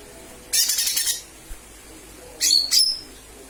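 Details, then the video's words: Lesser green leafbird call as a lure: a harsh buzzy high chatter for half a second, then a pair of sharp whistled chirps. "Pancingan suara cucak ijo mini/ijo mini memanggil"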